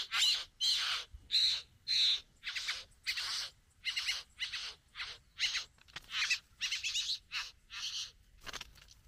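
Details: Satin bowerbird courting a female at the bower, giving a rapid series of harsh, buzzy, rasping notes roughly every half second, with some whistled squeaks mixed in at the start.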